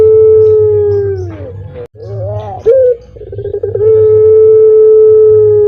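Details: Barbary dove, the tame caged puter pelung of Indonesia with a leg ring: a long level hoot sinking away, a pause, quick gurgling rising notes, then another prolonged steady hooting tone, all over a low electrical hum.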